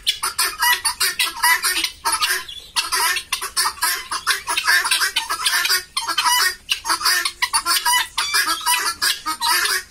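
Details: Farm-kept helmeted guineafowl in Bongaigaon giving harsh, rasping, rapidly repeated cackles that overlap in a noisy chorus.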